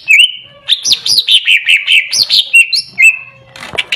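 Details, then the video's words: Greater green leafbird opening with a clear whistle, then a rapid string of rolling, bouncing slurred notes, ending in steady whistles and a few clicks. "Cucak Ijo Macet dan Bahan Denger, langsung nyaut dan bunyi"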